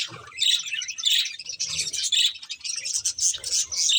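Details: High, grating chirps and warbled chatter from a breeding pair of budgies, pouring out in quick irregular bursts, with faint low thumps beneath.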